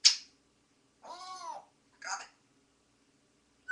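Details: Pet bird singing the tune Hello My Baby: a drawn-out, wavering harmonic note, then a shorter rough syllable and high squeaky bursts, separated by silence.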